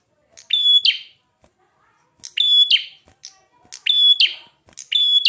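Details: Red-headed prinia in vigorous song. Four phrases, each a high steady whistle framed by buzzy rasping notes, arriving at uneven intervals with faint clicks between.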